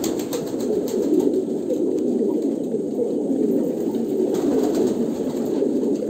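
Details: Kolkata pigeons cooing together, a dense steady chorus of low, soft, rolling coos that overlap continuously with no pauses, with a few faint clicks and rustles above.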